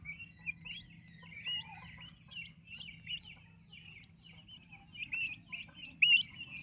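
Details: Turkey chicks kept with their mother, healthy and active, peeping constantly: a dense chorus of short, high, rising and falling cheeps that overlap without pause, with a few louder sharp peeps near the end.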